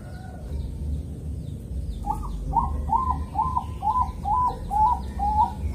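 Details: Bangkok-type zebra dove from Kediri, East Java, singing a calm morning rhythm used to lure other zebra doves into singing: a rapid series of about eight short cooing notes at mid pitch, the last note drawn out, with low background rumble.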